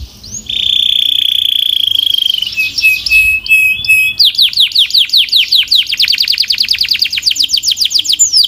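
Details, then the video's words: Canary singing a long steady high whistle, then a short buzzy section, followed by a sequence of rapid rising notes repeated many times per second. "Relax with the Most Popular Canary Singing - Beautiful Melody"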